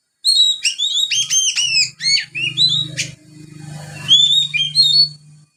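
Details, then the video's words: Young Oriental magpie-robin in ngriwik, a soft practice song filled with sparrow material: rapid run of bright, high chirps and downslurred notes, then a buzzy stretch with a low hum under it, ending in sharp rising whistles. "Kacer Muda ngriwik Isian burung gereja."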